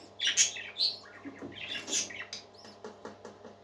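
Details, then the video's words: Happy parakeets warbling, quick and rapid: scratchy twitters and high chirps tumbling over each other, loudest in the first second and trailing into softer, broken chatter. "Happy Parakeets Singing"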